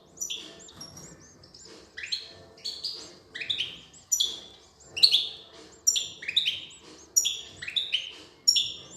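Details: European goldfinch female feeding her young; repeated short high calls with thin rising whistles, about one burst per second, over a faint low background murmur.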